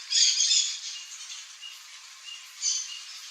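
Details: One loud, rasping squawk from a wild turquoise-fronted amazon calling in its Brazilian habitat, followed about two seconds later by a shorter, quieter squawk.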